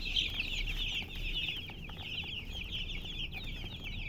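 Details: Chickens with a hen, chirping: bright, high, trilling peeps pile into an unbroken chorus, loudest at the start, with little other sound behind.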